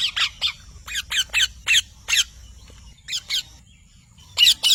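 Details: Parrot squawking in irregular runs of short, harsh, buzzy notes, pausing briefly before a few louder final shrieks.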